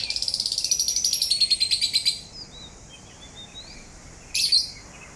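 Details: Parrot singing while grinding its beak: a fast run of bright, high chirps repeated about three times a second for two seconds, then soft thin whistles and one sharp chirp near the end.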